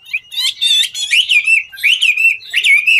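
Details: Singing and dancing Chinese hwamei delivers rich, loud slurred whistles mixed with rasping trills, notes swooping up and down in quick irregular phrases.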